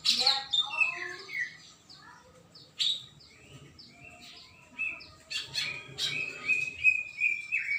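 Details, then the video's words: Greater green leafbird in full song on 21 December 2024: rich, varied phrases of whistled slurs, rapid chips and sweet rising and falling notes, delivered in bursts with short pauses between them. "Burung cucak ijo gacor"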